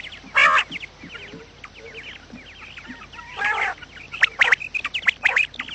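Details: Quail sounds meant to attract quails for trapping: two harsh, buzzy squawks stand out against a steady bed of quick, high chirps from many birds, with sharper clipped notes crowding the end.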